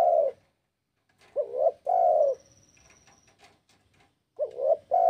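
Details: Spotted dove luring call meant to make rival doves respond: a long low coo, then after a pause a quick double coo leading into another long mellow coo, with faint clicking between phrases.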